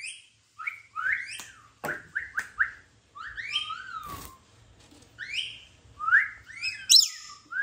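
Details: Pet rainbow lorikeet playing indoors: a run of short, sharply rising whistled chirps, some doubled, spaced irregularly, with a couple of dry clicks and a shrill squeal near the end.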